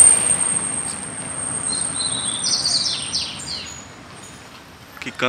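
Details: Double-collared seedeater living free in a neighbourhood sings a phrase of high, quick warbled notes and buzzy trills, with a steady high whine and low street noise behind.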